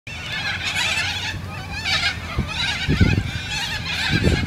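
Corellas give harsh, raspy screeches in overlapping bursts about once a second, over a low rumble of wind or background noise.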